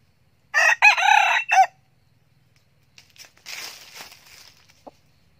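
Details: A frequently crowing young red junglefowl cock, a 2019 decoy bird, gives a loud three-part crow lasting just over a second, with a sharp final note. Scratchy rustling follows, and a soft hum sits underneath.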